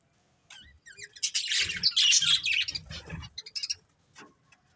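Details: A budgerigar family of pets chirping, opening with soft whistled slides, then a loud burst of harsh chattering warble and squawky notes before fading to scattered tweets.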